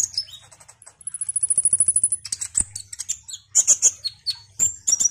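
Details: Konin, the orange-headed thrush, described as an eager singer. A long, thin, high whistled note with a fast rattle opens the passage. Sharp chirps, ringing notes and varied quick phrases follow over a faint low hum.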